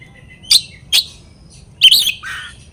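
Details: Oriental magpie-robin, known as kacer, sounding off to provoke rivals: two sharp harsh notes half a second apart, then a rasping burst followed by a lower buzzy note.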